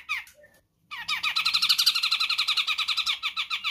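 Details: Sumatran grey-cheeked bulbul, used as a tutor and lure recording: a few falling whistled notes, a short pause, then a fast chattering run of bright, bubbly notes repeated about four times a second.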